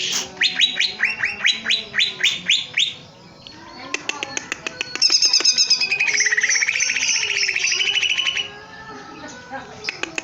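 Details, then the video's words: Caged greater green leafbird (cucak ijo) in loud song: a series of rising whistled notes repeated about twice a second, then clicks, then a long fast trill that wavers in pitch. "Burung cucak ijo gebrak kandang gacor"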